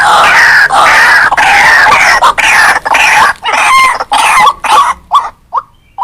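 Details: White-breasted waterhen call used to lure wild waterhens: loud, harsh, nasal croaking notes repeated rapidly in a continuous chorus, then breaking into shorter separate calls that fade toward the end.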